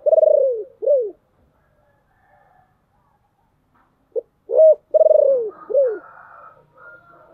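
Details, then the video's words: Decoy spotted dove with a low, gruff voice cooing to draw in wild doves; two phrases end with a long downward throbbing coo and an arched coo, separated by a silent gap, with faint distant cooing at the end. "tiếng kêu của chim cu gáy âm thanh rất chuẩn để kích bổi/ Tiếng Chim Cu Mồi Gáy Gọi Ồm Ồm"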